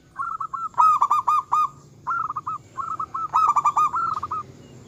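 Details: Local zebra dove in full song, described as provoking rivals and stirring their arousal: bursts of quick, rolling cooing notes at a steady mid pitch, repeated in short phrases with brief pauses between them.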